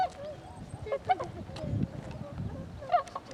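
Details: Tundra swans on 26 February 2012 giving scattered soft, nasal honks and a drawn-out wavering note, separated by quiet stretches with low rumbling background noise.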